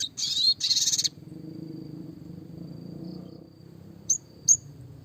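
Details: A classic red siskin (Spinus cucullatus) songbird-training song: two dense, buzzy twittering bursts, then two sharp high chips after a pause, over a faint low hum.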